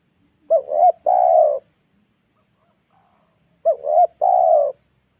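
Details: Decoy spotted dove cooing to bring wild birds down to the ground: two clean phrases about three seconds apart, each two short upward-hooked notes then a sustained, gently descending coo, with a quiet background.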